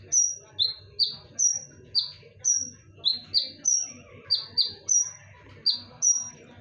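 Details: Konin singing a lure song, sharp and loud: short piercing chirps, some level and some dipping, repeated in uneven bursts about every half second, over a low murmur of background noise.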